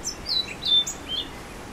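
Orange-billed Nightingale-Thrush singing a quick jumble of thin, high, slurred whistles, about five short notes in under two seconds, over faint background hiss.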